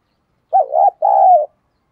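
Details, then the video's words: Cooing decoy spotted dove in thổ style luring wild birds: a single low, mellow pair of coos, the first quavering and dipping, the second a sustained rolling note, against silence. "Chim Cu Mồi thúc đấu và gáy gọi bổi nhanh nổi nhất hiện nay"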